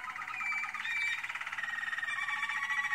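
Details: Short stretch of a singing American Singer canary in training: one continuous rapid, rattling trill at a steady mid-high pitch, slightly dipping toward the end.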